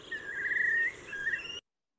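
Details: A whimbrel, a long-legged shorebird common on Trinidad's west coast, gives its bubbling call: a fast, rippling trill of high notes in two bursts, the first longer and the second slightly lower, then stops abruptly.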